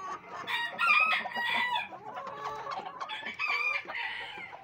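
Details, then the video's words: Silver Sebright hens on a fancy poultry farm in Pakistan, 11 February 2023, clucking and cackling in a busy, overlapping chorus of bright, choppy notes, with a brief crow-like phrase among them. "Silver Sebrite hens"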